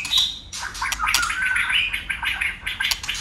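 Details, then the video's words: White-rumped shama in competitive fighting song, tail-flicking and switching voices continuously: a blurred burst of bright, varied warbled phrases with sharp clicks, fairly dense and noisy. "Chòe lửa hót đấuđập đuôi đảo giọng liên tục!. cực bền.chòe lửa hót nhiều giọng"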